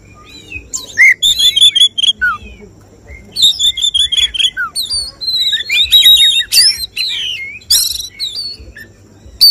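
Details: Oriental magpie-robin at a songbird contest, giving the 'tembakan' (shooting) song style that judges look for. It delivers loud, rapid bursts of sharp high whistles and chattering trills in dense clusters, with a faint low hum underneath.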